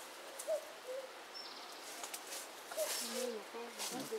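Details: In the Himalayas of Uttarakhand in May 2016, a Eurasian cuckoo wags its tail while calling a soft, hollow two-note "cu-coo" that falls in pitch, twice in four seconds, with faint chirps from other birds and outdoor noise.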